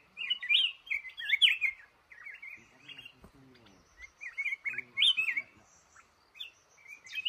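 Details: Trapped male red-whiskered bulbul, known as the boss of a cashew garden, sings lively warbled phrases in repeated bursts. A brief low voice-like sound and some clatter occur in the middle.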